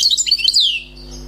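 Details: Fragment of song from a freshly caught wild European goldfinch: a quick run of high twittering notes ending in a long downward-sliding whistle, low hum behind.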